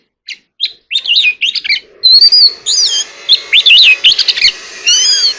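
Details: Oriental magpie-robin in contest singing, short chirps building into a lively flow of varied whistled and warbled phrases with sweeping, slurred notes, over a steady low background hum.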